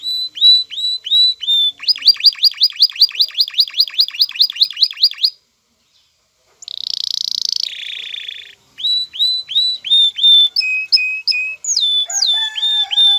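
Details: Excited male canary courting a female: repeated downslurred whistles, then a long run of quick pulsed rising notes, a pause, a harsh buzzy burst, and further varied whistled phrases with slurred notes.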